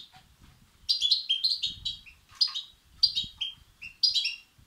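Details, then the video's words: European goldfinch chicks begging, used to stimulate males; bursts of high, twittering, tinkling chirps in short clusters about once a second, with faint low rumble beneath. "بتبتة وستستات فراخ الحسون الأقوى لتحفيز وتهييج الذكور"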